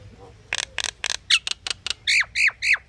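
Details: Pied myna calling: a burst of short harsh clicking notes, a few sharp chips, then three loud downslurred squawky whistles in quick succession, over a faint low hum.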